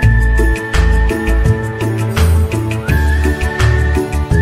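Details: Loud dance music with heavy bass beats and a melodic line, with no animal voices audible.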